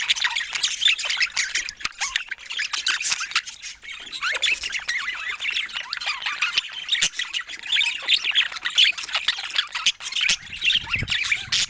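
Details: Budgerigars kept as pets, playing together, keep up a steady, busy chatter of high scratchy warbles, squeaks and short whistles, occasional sharp clicks cutting through the flock noise.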